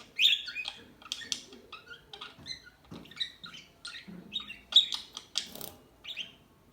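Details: Small birds twitter softly in a calm setting, giving quick high chirps and short squeaky notes in uneven bursts, with a faint low background murmur.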